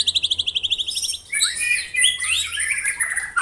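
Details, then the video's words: White-rumped shama, 'tembakan rapat' (rapid-fire) style: a quick string of about twelve short, evenly spaced high chips, then a tangled burst of shrill chattering and swooping notes. "Tembakan Rapat Burung Murai Batu"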